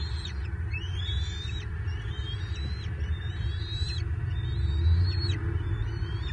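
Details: Bald eagle at its nest in Southwest Florida, 24 March 2023, during a feeding when the male delivers an armored catfish to the eaglets. A run of shrill, rising then flat whistled notes, several per second in loose rhythm, over low continuous rumbling.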